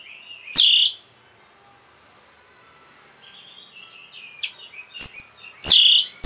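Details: Orange-headed thrush giving a provoking song: a single loud shrill downslurred note, a long quiet gap with soft warbling, then three loud piercing whistled bursts.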